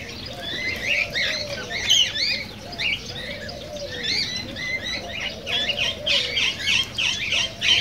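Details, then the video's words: Flock of cockatiels, voices used to stimulate mating: quick bursts of chirps and rising whistles grouped in clusters, loudest near the end, with soft curved lower notes sliding beneath. "تغريد كوكتيل"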